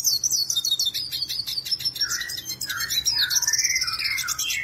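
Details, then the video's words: Black-headed siskin, a seed-eating bird, in full energetic song: a fast, unbroken twittering of high chirps and buzzy trills, with lower warbled phrases woven through. "BlackHoded Siskin gacor"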